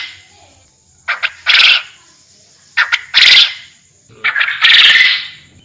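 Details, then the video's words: Forest quail calling: harsh, broadband, raspy notes, each led by short clicks and followed by a louder rasping burst, repeated roughly every one and a half seconds over a steady faint high hum. "Suara burung Puyuh hutan"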